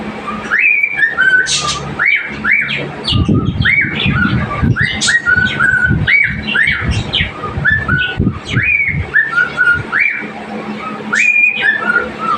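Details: A pet cockatiel that has just learned to whistle repeats a tune of clear rising and falling notes, with scratchy chirps between.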